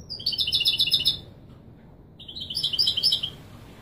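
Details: European goldfinch giving authentic Widani Marrakchi song meant for tutoring fledglings: two quick, high, chattering trill phrases about a second apart, each made of rapidly repeated tinkling notes, with a low background hum.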